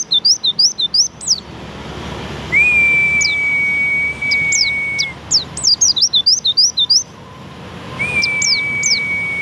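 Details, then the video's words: Javan white-eye song with rapid looping chirp runs, a long level whistle, more bursts of sharp downslurred notes, and another whistle starting at the end. "burung pleci"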